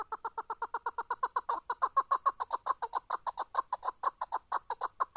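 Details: Chukar partridge giving a fast run of clucking notes, about three to four per second, each harmonic-rich note centred low and mid-pitched, rising slightly in loudness through the middle of the series.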